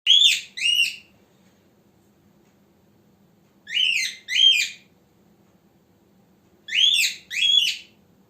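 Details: A male pet cockatiel gives loud, harsh rising screeches in pairs, each pair about three seconds apart, over a faint low hum.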